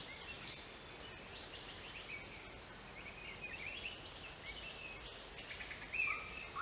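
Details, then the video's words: Greater racket-tailed drongo giving rapid metallic chattering notes and a sharp, clear whistle near the end, against a steady background hiss. "นกแซงแซวหางบ่วงใหญ่ (Greater Racket-tailed Drongo)"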